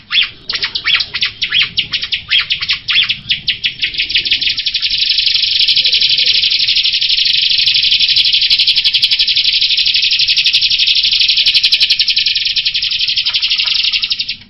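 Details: Jalak rio myna song that opens with a quick series of scratchy pulsed notes, then settles into a long, continuous, buzzy rattling trill held for about ten seconds.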